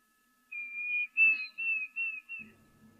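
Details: A Diederik cuckoo at a waterhole in Africa on 20 December 2023 gives a run of five clear, high whistled notes in quick succession, slurred into its 'dee-dee-deederik' phrase, with faint low rumbling after.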